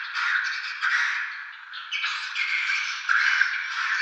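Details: Swiftlets recorded in Tambunan: unbroken buzzy chatter with scratchy chirps, fading briefly before growing louder again.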